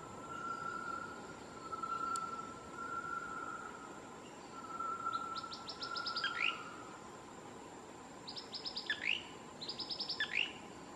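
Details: A male Blue-crowned Manakin sings in the Osa region of Costa Rica on 7 March 2019, giving three high, short trilled phrases with quick sliding notes in about five seconds. A steady insect drone runs underneath, and a Great Tinamou may call in the background.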